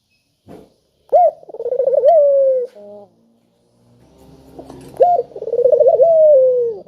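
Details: Two full coo phrases from a spotted dove kept as a calling lure: each opens with a bright note, runs into rapid pulsed cooing and a sustained descending tone, with a short faint coo after the first and a quiet pause between.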